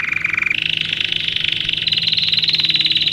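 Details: Canary song for tutoring young birds in training. A lower rapid trill jumps after half a second to a higher rolling trill that climbs gradually and stays steady and fast.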